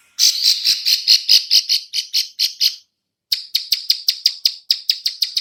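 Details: Female bar-winged prinia clicking call used to lure other birds: harsh buzzy ticks repeated rapidly, about two per second, in two bursts separated by a brief pause.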